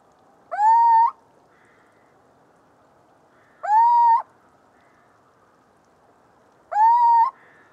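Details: Three clear, evenly spaced calls from a Little owl, each a rising, nasal, sustained whistle-like note about half a second long, repeated roughly every three seconds against light background noise.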